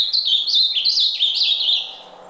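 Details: Ultramarine grosbeak singing a rapid, continuous warbled phrase of clear high whistled notes that rise and fall in quick loops, holding for about two seconds before fading out.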